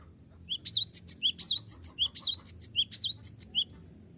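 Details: Cinereous tit singing hard to challenge rivals, a lure recording: after a moment of quiet, a rapid series of about thirteen high, ringing chirps with twisting whistled shapes, evenly paced and ending abruptly.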